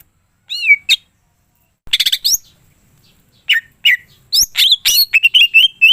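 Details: Greater green leafbird singing vigorously with full mimicked material. Isolated whistles and a quick stuttered burst give way to a fast chattering string of chirps and slurred notes.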